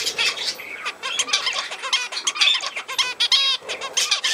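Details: Budgerigar in continuous warbling chatter: a fast jumble of buzzy clicks, squeaks and short harmonic whistled notes with hardly any pause.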